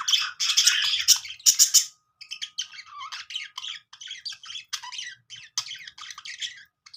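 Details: Budgerigars making happy sounds: bright, scratchy chirps and squawks, dense at first, then shorter bursts spaced irregularly, with a faint steady tone underneath.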